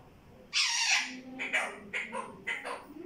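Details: Parrot known for saying "mittu mittu", opening with a loud harsh screechy syllable, then four shorter raspy voice-like notes in quick succession over low background hum.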